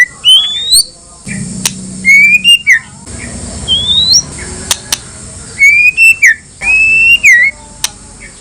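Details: White-rumped shama singing to goad rival shamas into replying: long upward-sliding whistles, some bending sharply down at the end, separated by pauses, with sharp ticks and a faint low hum.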